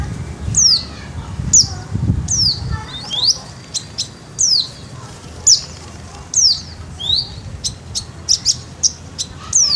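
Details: Javan bush lark singing, described as in full song with a rolling, flowing delivery: sharp high whistled notes, many sliding downward, given in spaced bursts about once a second, mixed with brief clicks and rapid chirps; faint low rumble underneath.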